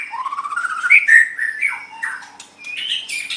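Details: Cage-bird training song of a white-rumped shama, a continuous run of varied whistles, rising and falling slurred notes, ending in higher buzzy phrases.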